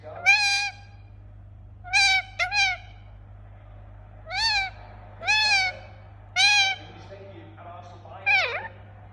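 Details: Indian ringneck parakeet giving about seven loud, harsh squawks with rich overtones, spaced one to two seconds apart. The last call dips and rises, and a low electrical hum runs throughout.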